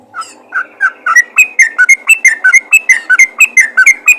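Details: Yellow-vented bulbul calling other bulbuls with a lively chain of clear whistled notes that quicken and rise after a slower start, alternating pitches in a bouncy rhythm, about ninety notes a minute.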